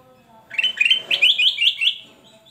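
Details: Male black-capped bulbul (kutilang emas) in full, loud 'gacor' song: a quick run of about seven bright, warbled notes, each slurred upward, rising and falling through a high register over roughly a second and a half, with quiet background.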